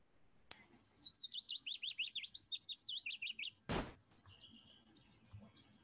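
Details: Willow warbler, a plain-coloured forest bird, singing a beautiful trilling song: a sweet, descending series of soft notes that runs for about three seconds, then a brief knock.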